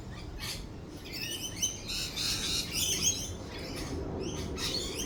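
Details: Several lorikeets chatter in a thunderstorm with lightning, giving dense, overlapping shrill squawks and rapid chirps that swell in the middle, while a low thunder rumble runs underneath.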